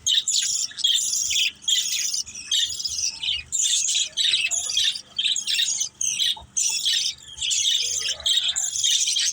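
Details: Several pet budgerigars chirping while playing together: a continuous high, scratchy warbling chatter in bursts about a second long, separated by brief dips.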